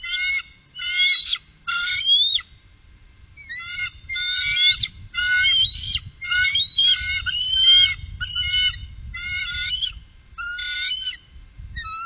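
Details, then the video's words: Three bald eagles on the upper Mississippi in 2018. High, thin chittering calls come in rapid stuttering runs of piping notes. The runs break off and restart every second or so, with faint low rumble beneath. "Trio Bald Eagle- Górnego Mississippi 2018"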